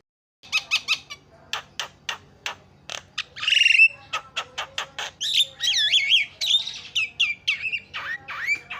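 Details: Javan myna song: a string of sharp clicking notes, a rasping buzz, then varied whistled notes that rise and fall, mixed with further clicks; meant to prompt other mynas to sing.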